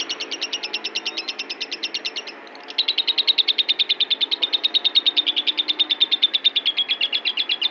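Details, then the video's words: Agitated lovebird giving a fast, steady run of sharp high chirps, about three per second, with a short break near the middle before the rapid series resumes. "kicau burung lovebird gedek ngamuk"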